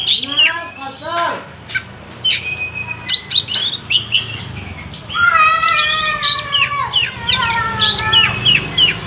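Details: Oriental magpie-robin singing hard while fanning its tail, first with descending chattering notes, then long sustained whistled tones stacked with rapid chirps, in a fast and varied delivery.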